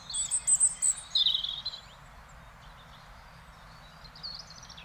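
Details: Filmed in the Netherlands, a European robin opens with a quick, high, sparkling phrase of short notes and a brief trill, then falls silent while a faint bird calls in the distance.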